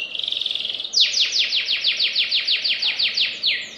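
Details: A canary begins with a fine, buzzing high trill, then switches to a steady series of loud descending swept notes, rapid and tightly spaced, in the fast nembak manner.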